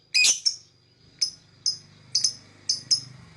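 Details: Lovebird giving harsh, high chirps, a longer raspy burst first, then single sharp chirps roughly every half second over a low humming background.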